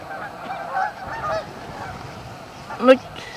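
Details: Canada geese at a staging area, Amber Trails Lake, Winnipeg: a softer background chatter of honks, then one loud, close, harsh honk near the end standing out clearly above the flock.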